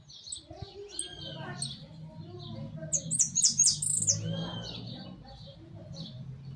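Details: Hooded siskin in a large cage giving high twittering song, with scattered thin chirps, a fast metallic trill in the middle, and a steady low hum underneath.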